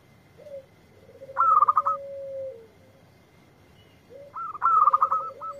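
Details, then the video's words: A local zebra dove, used as a lure to prompt other birds to answer, gives two soft cooing phrases about three seconds apart. Each opens with a low note, then a quick run of stuttering, higher trilled coos. A faint steady whine sits behind. "Perkutut Lokal Gacor yang ND4blek langsung nyaut"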